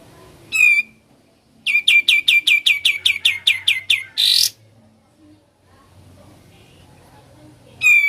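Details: Ngebren-style song of a sooty-headed bulbul: one loud chip, then a quick rattle of about a dozen sharp repeated notes ending in a harsh burst, followed by quiet and a final chip.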